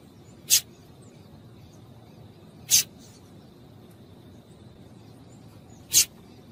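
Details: Calling female double-collared seedeater, meant to excite males. Three isolated, piercing high chips, two seconds or more apart, stand out against steady faint background noise.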